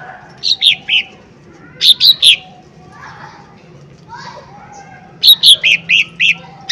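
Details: Lesser green leafbird singing as a lure: short groups of three or four sharp, slurred whistled notes separated by pauses of several seconds, with soft low murmuring sounds in the gaps.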